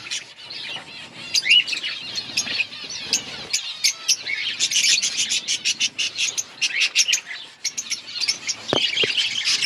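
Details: Budgerigars in an outdoor colony, a busy chorus of many birds giving dense high warbling chirps, short clicks and squeaky notes layered over one another without pause.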